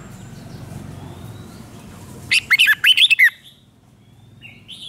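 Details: Red-whiskered bulbul in Thailand delivering one doubled five-syllable song phrase. A series of six quick, bright, rising and falling whistles comes midway after a stretch of low background noise and faint calls.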